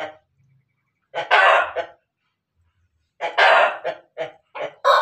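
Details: Ayam Ketawa x Pelung cross chicken in Banguntapan, Yogyakarta, Indonesia, crowing before laying eggs: two harsh bursts around two seconds apart, each trailing into short clipped notes, in otherwise quiet surroundings.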